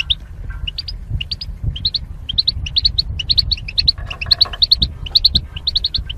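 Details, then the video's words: Goldfinch singing in a cage, kept as a mating pair behind a wire barrier: continuous bright chirping in rapid groups of two or three notes, nearly two per second, over low rumble. "Goldfinch Chirping Sounds to Stimulate Birds"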